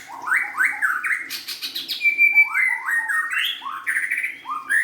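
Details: Singing white-rumped shama: a run of rising whistled notes repeated in a rolling sequence, with a long steady whistle in the middle and other chirps and background hum behind.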